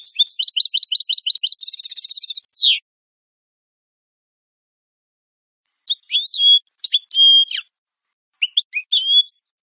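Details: Clean European goldfinch song for training captive birds: a quick twittering run leading into a buzzy trill and a downslurred note, then after a pause a few scattered whistled and buzzy phrases.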